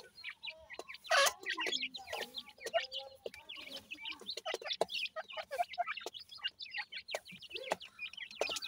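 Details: Francolin chicks feeding as a group: a dense chatter of high, short chirps and hooked peeps, punctuated by low clucking notes and a few sharp clicks.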